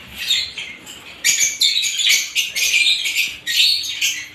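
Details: Different lovebird types chirp in bright, grating bursts, each lasting under a second, separated by brief gaps, growing denser and louder after the first second.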